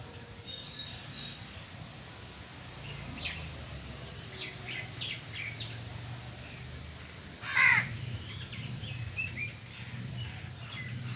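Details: While a crow eats cooked food and grains, scattered faint calls and clicks lead to one sharp loud caw near the middle, with steady low background noise throughout.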